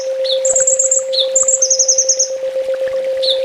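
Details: Ninja sunbird master song for training cage birds, delivered in full tembak style: high, fast buzzy trills alternating with short sharp notes, each phrase lasting about half a second, over a steady low electrical hum.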